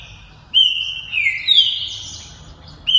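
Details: Captive champion green-winged saltator, a proven breeder, sings fibra e velocidade style, with clear, strong whistles that hold steady then slide down in a sweeping phrase and start again at the end.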